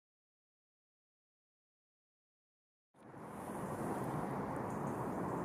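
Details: Three seconds of silence, then a sudden onset of loud, rumbling wind-like noise that holds to the end.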